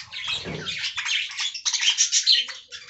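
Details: Budgies eating fresh green leaves make busy, high-pitched chattering with clicks and short squeaky notes. There is a brief low rustle near the start.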